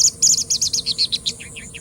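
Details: Singing bush lark giving a fast, rattling series of high, buzzy chirps, about six per second, fading into softer lower notes at the end; faint hum behind.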